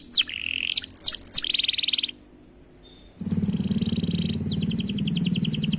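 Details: Canary song with a few falling whistles and a buzzy trill, a pause, then a steady buzzy tone and a fast high rattling roll over loud low hum.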